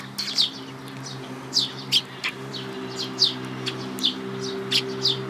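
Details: Sparrows chirp at a Tenmangu shrine, 5 May 2022. Crisp single tweets come in loose clusters over a low, steady hum.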